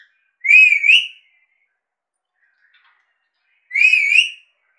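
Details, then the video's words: Pet Indian Alexandrine parakeet whistling indoors: two clear, wavering whistles, each under a second long and about three seconds apart, in a quiet room. "Talking Prrort mithu ka seety bajana, vicel voice mithu indian Alexander parrot"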